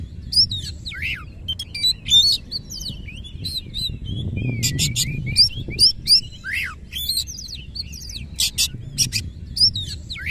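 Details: Somewhat quieter white-rumped shama song: scattered downswept whistles and bursts of sharp clicking notes spread over ten seconds, with low background rumble.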